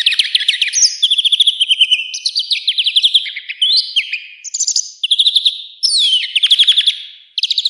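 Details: Wild European greenfinch in continuous song, rapid twittering trills alternating with short whistled slurs and buzzy rising notes, phrases running almost without a break.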